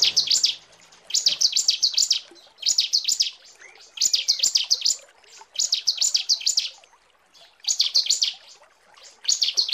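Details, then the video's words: Female bar-winged prinia calling to the male: high, rapid chattering notes grouped in bursts of about a second, each burst made of four or five quick rising-falling notes, repeated with short pauses throughout. "Suara ciblek betina panggil jantan"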